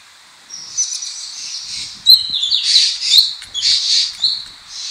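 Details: Wild birds calling in Bucari Pine Forest, Philippines, along a mountain road: high, bright chirps and twittering notes in overlapping bursts, some thin whistled trills, with quiet forest background.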